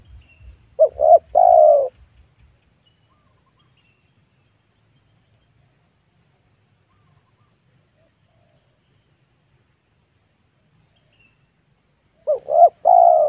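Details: Spotted dove in a young oil palm plantation where wild doves are being lured; one short three-note coo opens, then a long quiet gap before another phrase at the end, with faint low rumble at the start.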